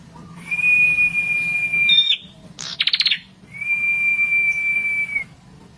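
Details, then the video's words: Prenjak kepala merah, a red-headed prinia, used to stir up rivals: a flat, sustained high whistle that steps up at its end, a fast pulsed chatter of chirps, then a second long even whistle. "SUARA BURUNG PRENJAK KEPALA MERAH GACOR! AMPUH NAIKKAN EMOSI LAWAN!"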